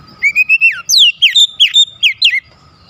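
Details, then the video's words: White-rumped shama song used as a lure to provoke other shamas into singing: a rising whistled phrase followed by a series of loud, sharply falling whistled notes, about nine in under three seconds. "PANCINGAN KACER ANTI BISU mancing Kacer lain cepat emosi dan gacor"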